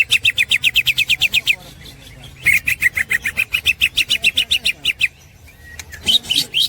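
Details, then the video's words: Green leafbird (cucak hijau) full 'ngekek' snickering song used as a master for training songbirds: long rapid bursts of sharp repeated chattering notes, around four per second, falling then steady, separated by short pauses, ending with a brief loud flourish. "the master of the green cucak bird is full of melodious snickering"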